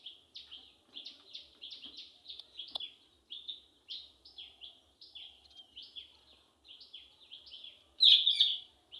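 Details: Female Indian ringneck parakeet giving an angry call: a soft, steady series of short high downslurred notes, about three or four each second, ending with one louder, harsher burst.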